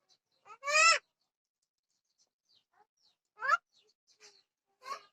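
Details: Odia-speaking myna giving three separate harsh, raspy, harmonic utterances, the first loudest and longest, with faint short chirps in the quiet gaps between them.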